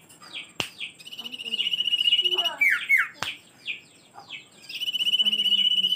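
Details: Song of the common iora: short high notes and a sharp click lead into a sustained pulsed trill, then slurred falling whistles, scattered chirps, and a second long trill.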